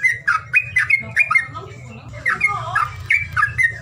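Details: Call used to coax silent birds into song: spaced squawking chirps, a short softer lower warble in the middle, then more harsh chirps, all over a steady low hum.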